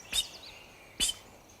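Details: Hairy Woodpecker close by in riparian bottomland along the Bitterroot River, western Montana, giving its single-note call: two sharp, high 'peek' notes about a second apart, slightly lower than a Downy's, against a quiet background.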